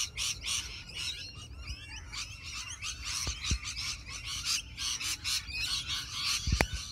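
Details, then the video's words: Rainbow lorikeets chatter in a tree packed with birds, recorded on a ZTE Nubia Z7 Max phone. Many harsh, rapid, high screeching chirps overlap without pause. A low rumble of background noise runs underneath, with a few brief thuds near the end. "Chirping tree, Rainbow Lorikeets infested tree"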